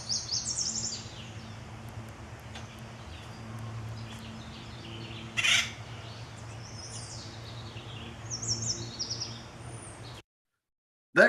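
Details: Male Acorn Woodpecker (full red crown) gives harsh, rackety calls in short scattered bursts over a steady low hum, with one sharp knock partway through.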